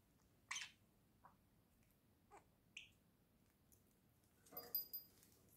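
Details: Two pet budgerigars, a pair, chatter in sparse bursts: sharp clicks and short high chirps, one clear whistled note, and a denser scratchy flurry near the end, in a quiet room.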